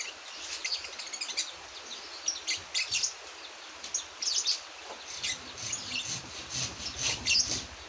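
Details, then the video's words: Juvenile Javan white-eye, one month old, practising song: a run of high thin chirps and twitters, irregular and fairly continuous, over a faint low hum. "Balibu 1 bulan belajar bunyi"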